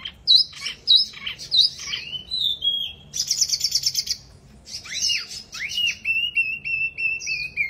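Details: Mini wambi delivering energetic song: sharp repeated chips, a dense buzzy rattle, downslurred notes, then a long thin level whistle that holds steady to the end, high and clear over low room hum.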